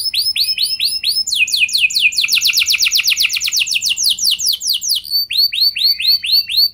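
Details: Canary song played to prompt other canaries to sing: repeated arched whistled notes that break into a long, fast rolling trill of descending notes, then return to slower arched whistles.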